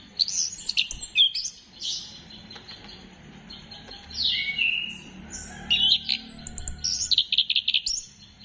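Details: Varied, energetic orange-headed thrush song used to spur other birds into singing, 15 December 2025: high whistles, slurred descending notes and a quick burst of rapid, chattering notes toward the end.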